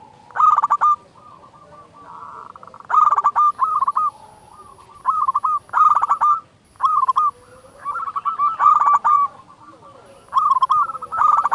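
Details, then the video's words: Energetic, loud local zebra dove song meant to make other doves sing: about nine phrases, each a quick stutter of coos ending in a drawn-out note, spaced a second or two apart, with softer coos between them. "Perkutut lokal gacor SUARA BESAR pancingan burung perkutut agar bunyi"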